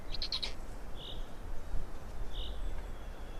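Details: Black storks feeding in Estonia, 16 May 2019, 12:47: a burst of clicking followed by two soft, hoarse, short notes about a second and a half apart.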